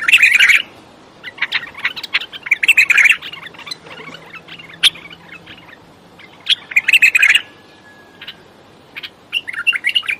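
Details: Bulbul singing, desert bulbul as named locally: bursts of bright chirping, warbled phrases recurring every few seconds with quiet gaps between, fairly loud and clear over a still background.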